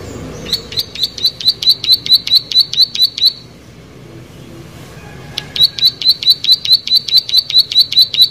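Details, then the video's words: Plain prinia sings two bursts of high, clicking, buzzy notes at over two per second, broken by a two-second pause before the rapid series resumes. "Prenjak Sawah Gacor"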